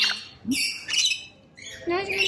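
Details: Rainbow lorikeet uttering long, drawn-out shrieks with stacked overtones and a short lower squeak, two loud bursts separated by a brief pause.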